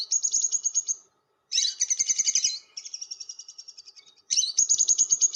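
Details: Long lovebird chatter, ngekek panjang, played to lure other lovebirds: shrill, dense trilled phrases, then a softer rapid stuttering run that fades before a loud burst resumes.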